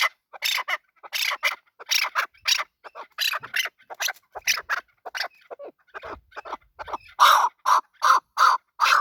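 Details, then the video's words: Male chukar partridge calling with harsh, raspy bursts and shorter clucks, ending in four loud, evenly spaced chuck notes. "Male chakor voice. Chakor voice. Desi chakor voice. Chakor sound. chakor ki awaz."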